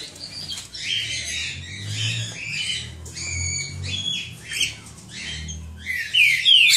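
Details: Cockatiel nestlings at a breeder producing rasping, hissy calls in quick uneven pulses, growing louder and shriller toward the end, with a steady low hum underneath.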